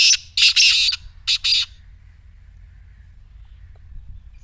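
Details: Loud rasping black francolin notes: a burst of three rough, buzzy syllables, then two more after a brief gap, fading into near silence with a faint low hum.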